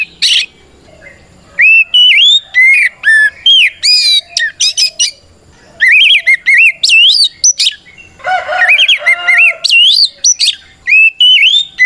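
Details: Kacer (Oriental magpie-robin) pouring out a 'gacor ngeplong' fighting song to summon opponents: long runs of sharp whistled notes and chattering slurs, varied in pitch, with one short pause.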